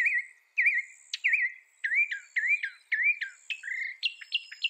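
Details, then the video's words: Northern mockingbird singing a series of varied whistled and chirped notes, some rolling and some sharp upward-flicked, delivered in quick succession and shifting to higher, squeakier phrases near the end. "Northern Mockingbird Bird Sound Bird Song Bird Call Bird Calling Chirps"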